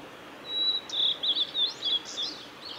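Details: Song of a male blue-and-white flycatcher, Kanazawa forest road, Lake Miyagase, 17 May 2020. A long, level, high whistle opens into a quick, warbled series of looping notes over faint steady hiss.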